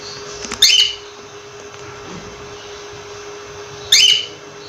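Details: Cockatiel giving two brief, bright whistled chirps roughly three seconds apart, against constant room hum and background hiss.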